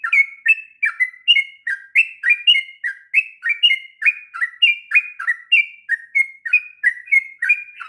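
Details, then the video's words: Sooty-headed bulbul giving a long rolling song used as a master recording for training young birds: bright whistled notes, each a quick downward slur then a level whistle, delivered in a steady stream about twice per second, clean with no other sounds. "kicauan trucuk ngropel panjang...cocok untuk masteran trucukan bahan.."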